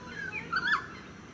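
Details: Noisy friarbird in a eucalyptus tree in a suburban park on Queensland's Sunshine Coast, July 2017; a brief call of slurred, bending notes, a short upslur followed by a louder down-and-up inflected note, over faint steady background hiss.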